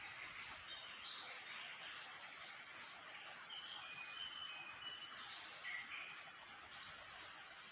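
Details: Orange-headed thrush, said to sing vigorously whenever there is light, singing a busy run of high, varied whistles and sharp chirps, phrases tumbling every few seconds over a steady hiss.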